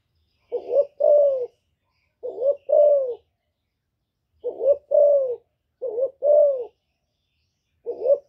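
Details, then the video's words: Female spotted dove giving her call to stimulate males, recorded free of background noise: low hooting phrases, each a quick rising note plus a longer falling coo, repeated about five times at uneven intervals of one to two seconds. "Tiếng Chim Cu MÁI GÁY kích trống mới nuôi hiệu quả,cu gáy mái hạp bổi,Cu đất mái gáy gọi kích cu nhà"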